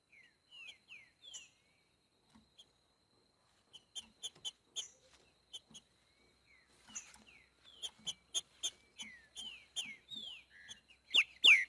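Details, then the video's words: Green-winged saltator singing boiadeiro-style in nature: scattered downward whistled notes and sharp clicking ticks, closing with a loud cluster of slurred whistles. "TRINCA FERRO BOIADEIRO CANTANDO NA NATUREZA"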